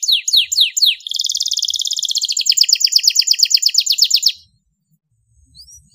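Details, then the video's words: Canary song in the sharp 'tembakan pedes, cengkok mewah' style. It opens with four swooping downslurred notes, then breaks into a rapid, even, high rolling trill lasting about three seconds before falling silent. "MASTERAN KENARI FULL TEMBAKAN PEDES CENGKOK MEWAH DURASI PANJANG"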